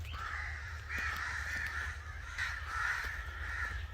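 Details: An angry crow gives loud, harsh caws, drawn-out rasping notes in quick series, with a low continuous drone behind.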